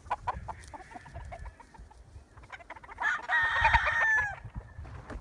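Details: Chickens and roosters: scattered clucks, then a rooster crows loudly for over a second, a strained harmonic call falling at the end, with more clucking around it.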